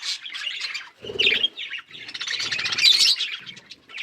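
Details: Budgerigars eating green food chatter in dense, scratchy chirping bursts with warbled squeaks, broken by short pauses and a low rattling sound.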